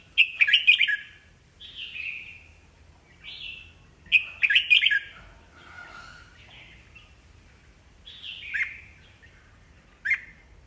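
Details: Old wild-caught red-whiskered bulbul singing to goad other birds into singing contests: short bursts of rich, chattering warbles, each a second or so long, repeated every few seconds with quieter fluty phrases between, in a quiet setting.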